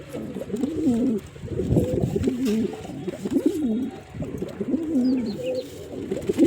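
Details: Deep, throaty coos of a male pigeon repeated steadily in wavering rising and falling phrases, with a few faint high chirps.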